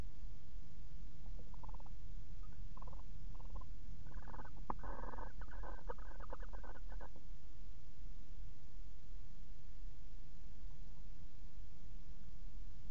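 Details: Barn owls, a male and female pair, together inside a nest box on 13 December 2018: scattered soft chitters build into a dense run of rapid, raspy pulsed notes, then silence with steady background hiss.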